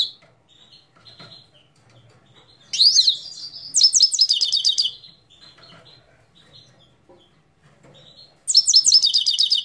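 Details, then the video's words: Himalayan goldfinch in Parachinar singing in bursts: rapid buzzy trills and tinkling twitters at high pitch, two phrases several seconds apart with soft quiet notes between. "Parachinar Himalayan Goldfinch Singing 2022"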